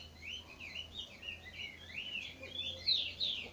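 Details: Chestnut-bellied seed finch singing at dawn in the trinca bico de veludo style: a continuous, rolling warble of looping whistled notes that rises to two sharper, piercing notes near the end, with a low steady hum underneath.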